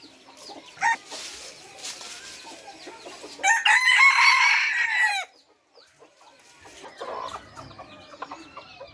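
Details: F3-generation red junglefowl giving one loud, hoarse crow lasting about two seconds, with rough descending tones. Faint clucks and other background noises come before and after.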